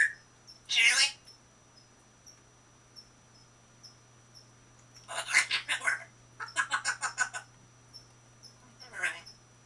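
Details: Female African grey parrot, 21 years old, kept indoors in a shared cage, in April 2011. Harsh, noisy bursts of chatter are followed by a quick run of about seven rapid clipped notes, then another burst, with a faint steady hum underneath.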